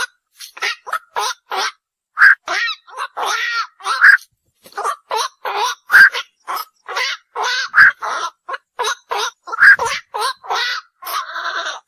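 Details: Night heron, locally called bakchu or ok bird, uttering a long series of rough, hoarse croaks in quick irregular succession, roughly every half second, some louder and honking, with no background noise.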